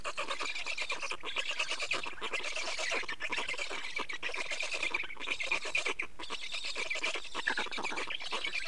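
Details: Black storks at an Estonian nest during nest change and feeding, 24 May 2019 at 15:15; dense, wheezy, rapidly pulsed rasping calls continue throughout, with brief pauses about once a second.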